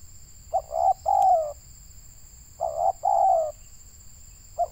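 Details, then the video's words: Deep cooing of a local Indonesian spotted dove kept as a decoy for trapping; two phrases of short double hoots followed by a longer falling coo, with a thin constant high-pitched tone in the background. "Mikat burung tekukur suara boleh lah"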